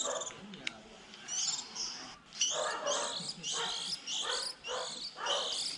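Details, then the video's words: Fledgling white-eyes at the start of the season, around April when young leave the nest, a trapping lure: after a quieter opening, rapid high chattering phrases repeat in bursts roughly every half second, with softer lower tones beneath. "Tiếng khuyên non đầu mùa 2020"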